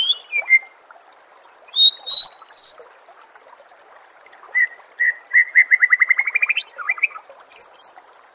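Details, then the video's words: White-rumped shama song for training birds to compete: separate falling whistles and paired high notes, then an accelerating series of repeated notes rising in pitch, ending in a rasping high burst, with water sounds beneath. "Suara Masteran Murai Batu Gacor – Bikin Mental Petarung dan Siap Juara di Gantangan"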